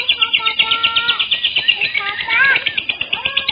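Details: Lovebird lure sound meant to attract other lovebirds: shrill, rapid chattering chirps repeated about three times per second, mixed with clear whistled tones and sliding, rising notes.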